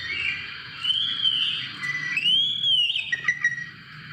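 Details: Oriental magpie-robin song used to provoke other birds to sing: long clear whistled notes around mid-high pitch, a sustained tone then a rising-falling arch, with a few short chips near the end.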